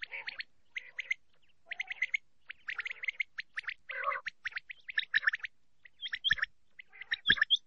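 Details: Common quail (Coturnix coturnix) call in short, liquid, clipped phrases, bursts of three or four notes repeated about once a second, with a faint lower murmur beneath.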